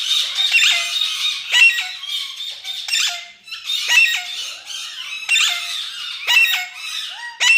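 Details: A pet talking parrot in India utters harsh, raspy squawks in broken bursts, each with a thin falling tail, about every second, indoors.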